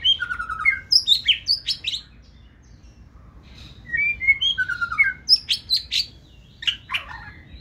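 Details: Caged white-rumped shama of the fire-rumped type in Vietnam, singing forest-style song: bursts of rapid varied whistled and chirped phrases, rising and falling, separated by a pause of about two seconds.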